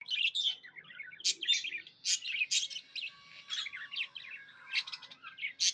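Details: Happy pet budgerigar chirping: a dense, busy warble of short bright chirps and buzzy notes, bursting in loud clusters about every second with softer chatter in between; no other sounds stand out.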